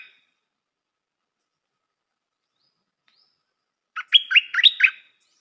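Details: After a long silence, a Stripe-throated bulbul used as a decoy delivers one chattering, liquid phrase of about five fast notes lasting roughly a second.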